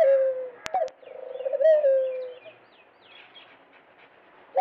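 A dove coos low and soft: a short note, a brief pause with clicks, then a longer rolling coo that fades. Faint chirps of small birds follow.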